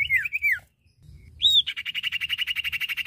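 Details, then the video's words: Common iora, male and female, giving a falling whistled phrase, a short silence, a bright rising whistle, then a long, rapid, buzzy trill to the end. "Suara Burung cipoh/sirtu jantan dan betina gacor!"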